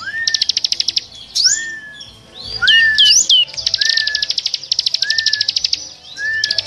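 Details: Lure recording of noisy small birds for trapping: fast buzzy trills repeating about three times a second, alternating with a clear short whistle that rises then levels, plus scattered sharp upswept chirps.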